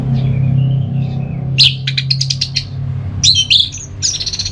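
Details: Orange-headed thrush singing in the ngeplong style, played to get a sluggish bird singing: rapid stuttered high notes, then bursts of varied whistled and scratchy phrases, with a steady low hum underneath.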